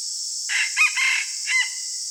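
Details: Decoy red junglefowl crowing at dawn: a short, hoarse crow broken into three or four bursts, the last slightly separated, set against a loud unbroken insect hum.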